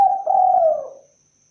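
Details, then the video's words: A brief, low, mellow coo from a spotted dove that holds steady and then slides down and fades within about a second. A faint high hum is in the background. "suara asli burung Tekukur(derkuku)"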